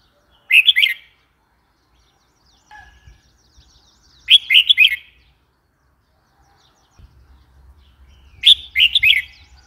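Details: Red-whiskered bulbul repeating a bright, bubbly chirping phrase three times roughly every four seconds, each a quick sequence of slurred notes; faint low rumbling in the background.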